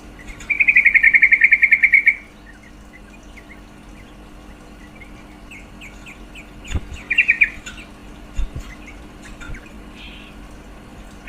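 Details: A long, steady rattle of rapid notes lasting about one and a half seconds from a female yellow-vented bulbul, used to spark males' mating urge, later followed by quiet chirps and a brief second burst.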